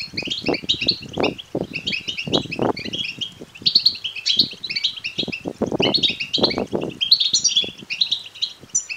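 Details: European goldfinch chick begging calls for stimulating males to sing and mate; rapid, squeaky high chirps repeated in bursts, accompanied by frequent low bumping and knocking noises.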